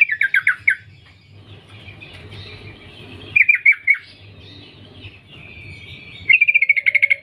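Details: Female sooty-headed bulbul calling for males, giving a quick chirp burst, a later group of four slurred notes, then a fast even trill of many short chirps, with low background hum.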